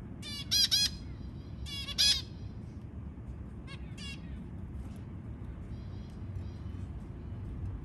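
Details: White zebra finch newborn chicks beg while being fed, in two quick bursts of harsh, buzzy, high chirps, then fainter ones, over a steady low background hum.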